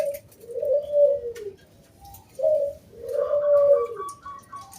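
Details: Local wild zebra dove singing loudly in the 'kung bulat' crystal-voiced style, a recording meant to lure other doves into singing: two phrases, each a short note and then a long, smooth, slightly falling coo, with a faint higher tone near the end.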